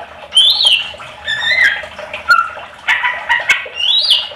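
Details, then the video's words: Greater green leafbird singing to draw replies from other leafbirds; varied phrases of whistles, squeaks and chattering notes with short gaps between bursts. "Pancingan cucak ijo agar ikut nyaut bunyi gacor"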